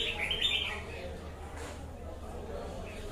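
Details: Short high warbled phrase from a wild-caught red-whiskered bulbul at the very start, followed by near silence with low background noise.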